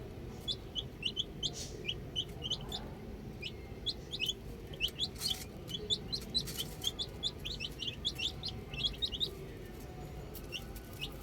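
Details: Baby chicks enjoying the outdoors, a steady chorus of short, high-pitched chirps, many birds calling at once in fast uneven runs, with occasional scuffs and a faint low background.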